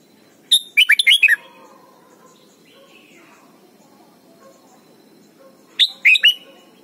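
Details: Thai red-whiskered bulbul song for teaching young birds: a rapid bubbly phrase of several bright whistled notes, repeated about five seconds later, with a soft low murmur in the background.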